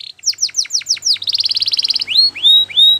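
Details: Belgian canary song used for training: a series of steep downward sweeps, then a rapid rolling trill, ending with three long rising whistled notes.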